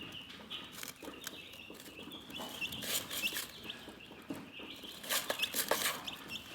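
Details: Relaxed chickens peep in quick, irregular high chirps, several each second, broken by loud scratchy bursts of rustling or pecking around the middle and toward the end.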